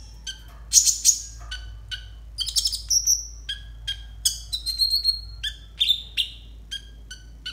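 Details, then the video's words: Konin singing as a masteran tutor for raw konin: a lively, dense run of sharp chirps, harsh buzzy bursts and short high whistles, varied and nearly continuous. "TERAPI AMPUH UNTUK BURUNG KONIN 100% COCOK BUAT MASTERAN KONIN BAHAN"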